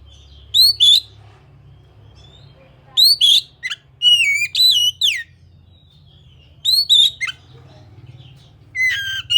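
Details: Singing Oriental magpie-robin (kacer) used to get other kept magpie-robins to start singing: loud bright whistles that sweep upward, in short bursts of two or three, with a quicker warbled phrase of falling notes midway and near-silent gaps.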